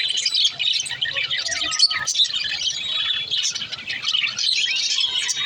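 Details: Several lovebirds singing in a loud, high-pitched flock chatter of rapid chirps, squeaks and short whistles that run together continuously.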